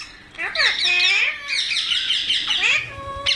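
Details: Parrot utters loud raspy squawks and chattering screeches in two long bursts, with a faint steady tone and soft thumps near the end.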